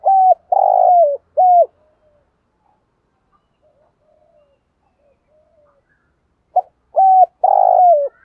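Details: Spotted doves cooing in the morning to urge trained birds to sing: a phrase of three low coos, the middle one long and buzzy, a quiet pause with soft murmurs, then the phrase repeated.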